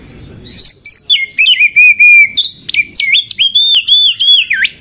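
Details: Female Oriental magpie-robin used as a lure to stir other magpie-robins into singing: loud, clear whistled phrases, long level notes then quick rising and falling slurred whistles in rapid bursts, with faint background rustle at the start.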